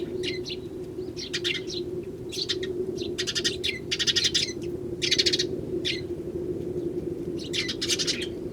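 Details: Eurasian tree sparrows, wild and gathering in numbers in early January, with one starling present. Loud, bright chirps in clustered bursts, each burst a rapid string of notes, above a steady low droning hum.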